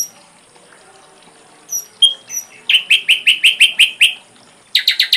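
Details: Ashy drongo tutor song: a few thin, high whistled notes, then a fast burst of about nine rapid, even chattering notes, a pause, and a second short chattering run.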